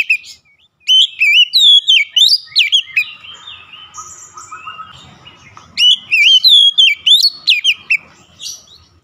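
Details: A stressed Oriental magpie-robin recovering and singing energetically: two bursts of fast, bright whistled notes with sharp upward sweeps and looping slides, separated by a softer, quieter warbling interlude.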